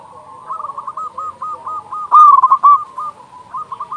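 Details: Local zebra dove with a big voice, cooing to lure and prompt other doves to sing: a steady run of low, rolling, purring coos, louder in the middle, repeating without pause.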